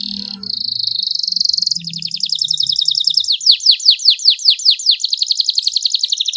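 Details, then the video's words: Canary masteran song: a steady high buzzing note, then a rapid trill of falling notes, then a loud series of sweeping downward notes repeated about four per second, ending in fast trills. "MASTERAN KENARI FULL TEMBAKAN PEDES CENGKOK MEWAH DURASI PANJANG"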